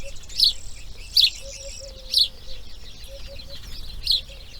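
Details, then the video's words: Grey heron at its nest on day two of breeding: sharp, high ticking chirps repeated roughly every second, with a faint steady low tone in the background. "RELAX SONIDOS IMAGENES NATURALEZA | Garza real (Ardea Cinerea) Crianza Dia 2| Grey Heron Breeding"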